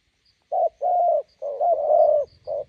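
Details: Spotted dove by the roadside, decoy meeting a wild bird: low coos with a longer wavering drawn-out coo in the middle, ending in a short note, over faint low rumble.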